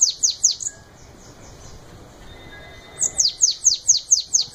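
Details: Shiny cowbird singing in the Belgian batendo style: four quick high falling whistles, a quiet gap, then a fast series of about nine sharp descending notes repeated roughly every quarter second.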